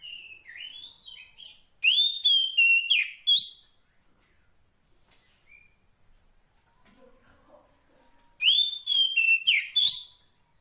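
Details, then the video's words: Wild female Oriental magpie-robin (kacer poci) calling to a male: a soft chattering start, then two loud clusters of ringing whistles and harsh, buzzy slurs, about six seconds apart, with faint low murmurs between. "Masteran Suara Kacer Poci Betina memanggil Jantan"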